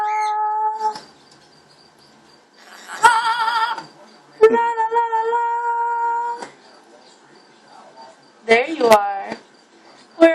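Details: A female pet blue-fronted amazon, turquoise-fronted amazon, sings in long, steady, voiced notes held for a second or two, broken by harsh rasping bursts and chattering, speech-like phrases in a quiet room.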